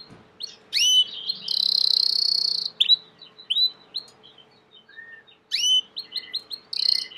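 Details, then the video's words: Belgian canary, a domestic bird, in full song: sharp upswept chirps, a long loud high buzzy trill, then a run of slurred whistled notes, a brief low note and a fresh burst of chirps and trills. "COMO FAZER SEU CANARIO CANTAR MUITO 20 MINUTOS DE CANTO"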